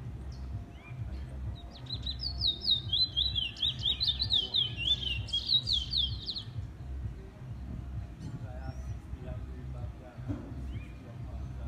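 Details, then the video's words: Trinidad bullfinch (chestnut-bellied seed finch), a first-black male showing lots of potential, delivers a rapid, sweet, warbling run of high notes lasting about four seconds, over a steady low rumble of background noise. "Trinidad bullfinch"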